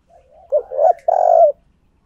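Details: Decoy spotted dove cooing to lure other doves: a soft low lead-in followed by two loud, hoarse mid-pitched coo notes, the last one long and steady, in quiet surroundings.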